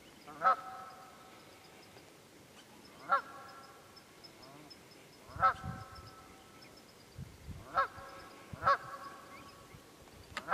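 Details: Wild geese in Pennsylvania's Quehanna Wild Area on 27 February 2018 call with strong nasal honks every two to three seconds, closer together near the end, against a steady faint hiss.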